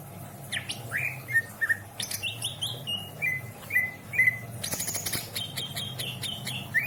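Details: Greater green leafbird, caged at a home in Indramayu, Indonesia, performing isian song: a sequence of clear, flat whistles with hooked ends, then a loud buzzy rattle and more high chips.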